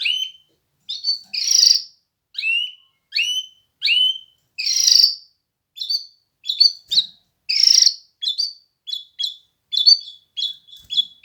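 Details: Canary singing: short separated phrases of bright whistled notes and sweeping upslurs, some buzzy, repeated in quick bursts about every half second to second, with clean silence between them.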